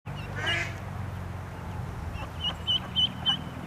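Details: A mallard duckling swimming in a pond, scared, gives four shrill, high peeps, about three a second, crying for its mother over a steady low hum and an early rustle.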